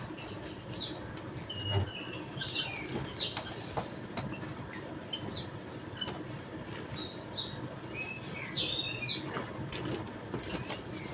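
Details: Javan munia: thin, high, downslurred chirps given irregularly, singly and in little clusters, over about eleven seconds against a soft steady background.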